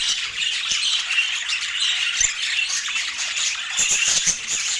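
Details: Budgerigars chirping during their daily healthy food routine, filmed in natural Scandinavian light with no music. Dense, continuous high chattering and warbling from several birds, with soft clicks and taps from around 3.7 s.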